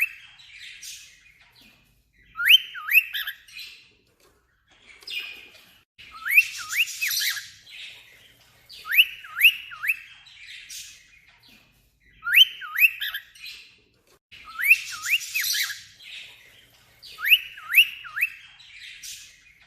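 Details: A cockatiel imitating an alarm clock, whistling bursts of quick, bouncing notes repeated every couple of seconds.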